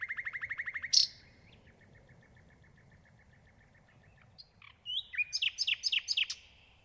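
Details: Nightingale delivering a rapid trill of repeated notes, a loud burst, a soft evenly spaced series of short notes, then after a pause a set of loud, varied downward sweeps.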